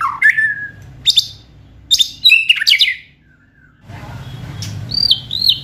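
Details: White-rumped shama singing, played to provoke and speed up song: a clear rising whistle, sharp high clicks and descending notes, a quiet gap, then high wavering whistles.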